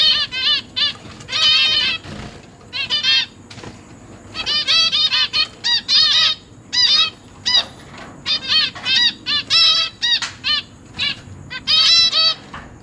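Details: Dense chorus from a captive zebra finch family of two parents, three juveniles and three new chicks, recorded 29 September 2023. Nasal, harmonic calls are repeated almost continuously, bunched in quick runs with brief gaps.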